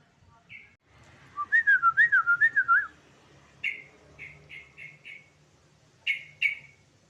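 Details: Yellow-vented bulbul song played to prompt other birds to sing: a loud bubbling warbled phrase of about eight rapid notes, followed by separate short whistled notes repeated roughly every half second, then two louder upward notes.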